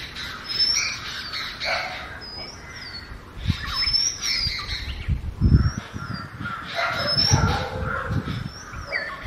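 An Oriental magpie-robin sings varied phrases of high, clear whistles, some rising and slurred, mixed with harsher squawky notes, over low rumbling background noise.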